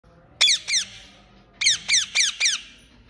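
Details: Parrot giving harsh, high squawks that slide downward, two in quick succession, a pause, then a run of four more at a steady pace.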